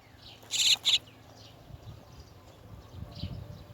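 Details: Chestnut-tailed starling, parent birds come to lead their chicks out of the nest; two loud, harsh, rasping notes in quick succession, each a brief grating burst, over faint distant chirps and low rumbling background.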